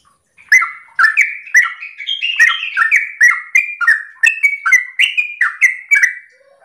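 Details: Morning 'ropel' song of a sooty-headed bulbul, played to get other bulbuls to answer: quick successive liquid notes sliding downward, roughly two each second, starting after a short silence and fading at the end.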